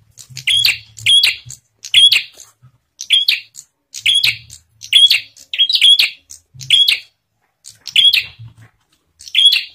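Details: Bar-winged prinia singing, used to entice other prinias to sing: around eleven shrill chirped phrases spaced about a second apart across ten seconds, each whistled then buzzy, with soft low thuds.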